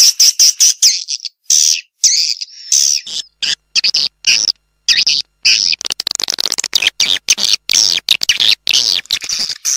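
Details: Edible-nest swiftlet lure recording meant to fill a swiftlet building: rapid dry clicks mixed with high chattering chirp bursts, growing into an almost continuous twitter in the second half.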